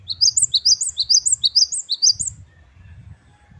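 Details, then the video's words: Great tit (gelatik batu wingko) singing wucit kristal: rapid, ringing high two-part notes repeated evenly for over two seconds over a low rumbling background, then fading to soft low noise. "Gelatik Batu Wingko Gacor | WUCIT2 KRISTAL | Great tit birds | Parus Major"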